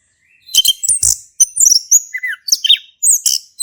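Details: Male orange-headed thrush in Indonesia, caged, in ngeplong song meant to set silent birds singing: quick bursts of high scratchy chirps mixed with clear whistled slurs, some falling, in tight succession with brief gaps.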